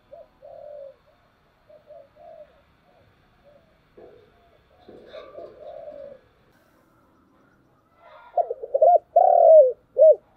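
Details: Morning calling of a spotted dove: faint, distant murmuring coos at first, then one loud close phrase near the end with quick hooted notes, a drawn-out purring coo and a short closing note.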